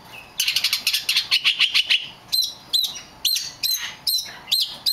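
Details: The rare black magpie robin gives a quick burst of rattling notes, then a string of clear, separate whistles repeated about every half second, each note rising sharply.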